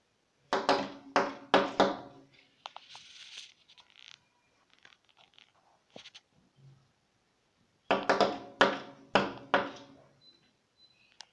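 A brown babbler gives two bursts of four harsh, rasping notes in quick succession, with quiet scratchy sounds in between.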